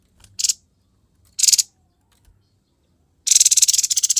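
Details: Grey-headed babbler in gacor konslet song: two brief harsh buzzy bursts about a second apart, then a sustained rapid grating rattle rising in intensity at the end.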